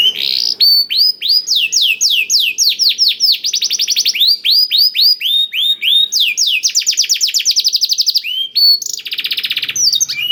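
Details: Canary song tutored with blackthroat phrases, played as a lure to get canaries singing: long run of rapid downslurred whistled notes, then fast buzzy trills, with a dense rattling trill near the end.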